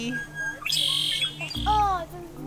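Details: A male red-winged blackbird sitting in a tree some distance away at Lake Wilderness Park and Arboretum, in spring, gives a single high, buzzy, rasping burst lasting about half a second; a child's voice follows.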